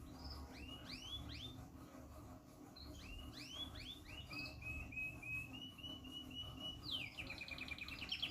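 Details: Yorkshire canary pair ready for breeding, singing a run of rising, upswept whistled notes, then a steady rolling trill of evenly repeated notes, ending in a fast, high, buzzy trill, over a constant low hum.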